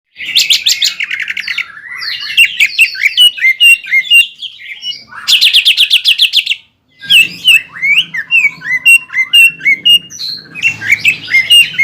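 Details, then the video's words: Caged greater green leafbird singing in full voice to provoke a rival bird: rich varied phrases of rapid buzzy trills and whistled slurred notes, bursts separated by short pauses, with a faint low hum underneath. "CUCAK IJO GACOR INI MAMPU MEMANCING EMOSI CUCAK IJO LAWAN"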